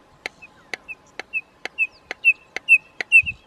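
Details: Red-crested korhaan in Kruger National Park: sharp dry clicks about twice a second, alternating with short high piping whistles that grow louder and longer as the series builds.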